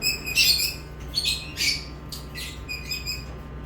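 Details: A few lovebird chirps: loud shrill squawky notes at the start, then softer, spaced, high chirps fading toward the end, over a steady low hum.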